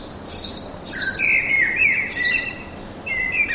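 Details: Bird song in a forest: bright chirps and whistled phrases, some buzzy notes high up, others sliding and warbling lower, given in quick bursts over soft background noise.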